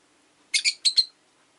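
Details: Rosy-faced lovebird on a relaxed afternoon, giving four sharp, harsh chirps in two quick pairs, high-pitched and buzzy, with silence around them.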